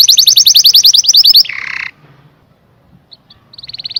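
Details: Canary delivering a rapid bright trill that ends in a harsh buzzy note, then a near-silent pause before a new trill begins.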